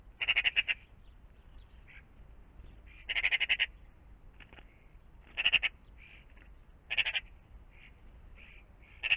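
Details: Morning magpies around a pond repeat loud rattling chatters, four bursts of fast harsh notes a couple of seconds apart, with quieter rasping calls filling the gaps.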